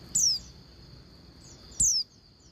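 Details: Female Oriental white-eye calling to a male; two crisp, high whistled notes each gliding sharply downward, about 1.6 seconds apart, with faint chirps after and a constant shrill whine behind.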